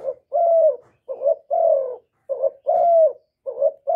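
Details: Spotted dove cooing, played to stimulate kept birds and decoys: a short soft coo followed by a longer, slightly falling mellow note, the pair repeating about every 1.2 seconds in a quiet recording free of background noise.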